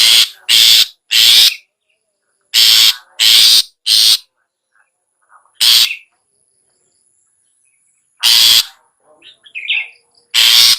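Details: Long-tailed shrike, ngetet style, used to prompt sluggish captive shrikes into song: clusters of loud harsh grating bursts, pairs and triplets, broken by pauses and occasional soft twittered notes.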